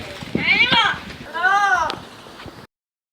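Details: A trained female pet parrot speaking its owner's name; two rapid, speech-like arched syllables with rich harmonics, ending abruptly in silence.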